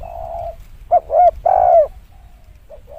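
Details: Spotted dove coo used for luring. A long husky note, then two short coos and a drawn-out coo that falls at its end, over a steady low background hum.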